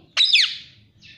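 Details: Pet parrot calling out in a home, giving one loud, harsh, rising then falling squawk-like word, with another softer note just after.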